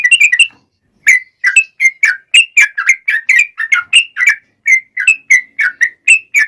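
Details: Bubbly whistled song of a sooty-headed bulbul, played to prompt other bulbuls to reply: quick clusters of liquid notes, a short silence, then a long irregular run of rising and falling chirps.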